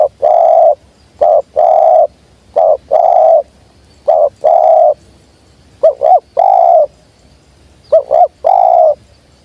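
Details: Spotted dove, in a recording for luring wild birds, gives loud, mellow low-pitched coos: short single or paired notes, each followed by a longer rolling coo, repeated steadily through the clip with a quiet background.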